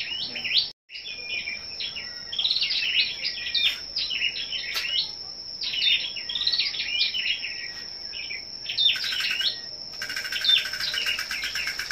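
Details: A captive Scarlet-backed Flowerpecker, kept and trained for singing contests, gives high, thin, rapid twittering phrases, sharp and metallic, repeated in bursts with a steady high insect-like whine behind them.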